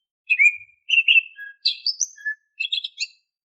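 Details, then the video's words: Oriental magpie-robin song, used as a lure to make untrained caged magpie-robins sing: a lively run of varied phrases, including a swooping whistle, rolling notes, a sharp high trill and quick chattering notes, in a quiet setting. "Suara Siulan KHAS Burung KACER, AMPUH untuk Pancingan kacer BAHAN agar GACOR"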